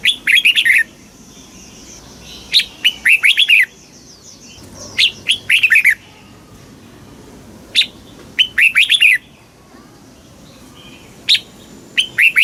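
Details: Caged red-whiskered bulbul, Thailand, southern master-style song for exciting caged birds and tutoring chicks. Five or so short bursts of quick, bright, slurred whistles come at irregular gaps of one to three seconds over a quiet background.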